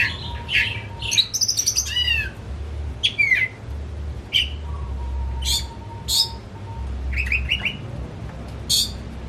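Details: Pet Oriental magpie-robin kept at home, singing excitedly to prompt another bird. Sharp chips, quick downslurred whistles and harsh buzzy notes come in spaced bursts, with a faint steady tone and low hum behind.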